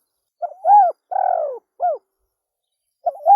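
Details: Spotted dove calling in a low, hollow coo of three parts, a quick lead-in note, a longer slurred coo, then a short closing note, with a new phrase starting after a gap.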